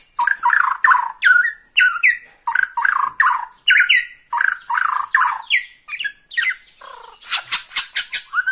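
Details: White-rumped shama of the Bornean type singing excitedly while fixed in one spot at the sight of a rival: a fast varied run of loud whistled notes, rising slurs and scratchy chirps with high thin overtones, phrases following each other almost without pause.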